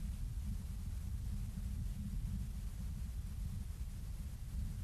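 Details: Steady low wind rumble fills the recording, with no animal sound heard.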